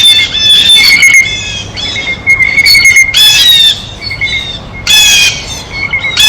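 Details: Blue jay at its feeder while eating, giving loud, harsh, nasal squawks in short bursts of about half a second, spaced irregularly, over a thin steady high whistling tone in the background.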